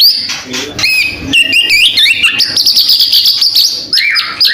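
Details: Medan white-rumped shama singing energetically, prepared for contest hanging: loud varied phrases of clear whistles, abrupt chips and a long sustained high ringing passage, ending with a rising slurred note.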